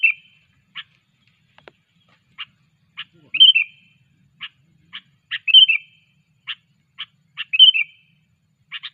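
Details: Sooty-headed bulbul during training, giving short dry chip notes at irregular intervals, sometimes doubled, with three brief bubbling whistled phrases spread through the sequence in an otherwise quiet setting.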